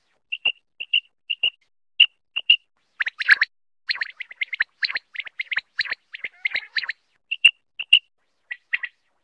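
Quail giving high, clipped notes in quick pairs, then a dense run of scratchy, overlapping chatter before the paired calls return.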